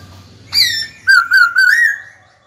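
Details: Caged white-cheeked laughingthrush singing to challenge a rival bird: one high falling whistle followed by three connected, clear, steady whistled notes ending on a slight rise.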